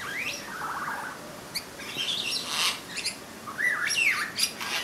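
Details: A satin bowerbird in Merewether Heights, NSW, Australia sings a jumbled, irregular run of buzzy rattles, sharp clicks and squeaky whistles, ending in a wavering, slurred note.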